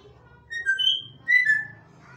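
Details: Bonded pair of pet African grey parrots: two clear whistled notes about a second apart, each steady then slightly falling, with bright overtones, over a faint low indoor hum.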